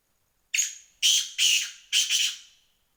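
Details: Black francolin giving four harsh, grating, high-pitched bursts over about two seconds, the last two notes doubled, each fading quickly, in an otherwise quiet setting.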